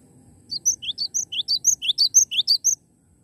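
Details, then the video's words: Cinereous tit singing hard: a brisk phrase of about thirteen repeated high notes, each a rising chirp paired with a thin whistle, evenly spaced for over two seconds before stopping abruptly. "Glatik Batu Gacor Mantul"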